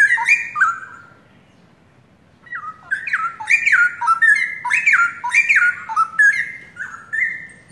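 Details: Long-kept young straw-headed bulbul pair of forest origin, singing actively: an opening burst of stepped whistles, a short pause, then a lively stream of loud, looping, liquid phrases that rise and drop repeatedly.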